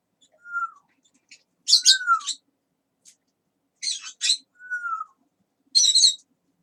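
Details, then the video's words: Indoor pet talking parrot alternating a clear falling whistle, heard three times, with loud rasping, noisy bursts in pairs, all against near silence. "Talking Parrot"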